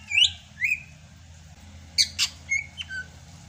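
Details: Sumatran greater green leafbird in the rainy season, still singing well: a few loud upslurred whistles, then clipped chips and short whistled notes in quick succession, with a faint low hum underneath.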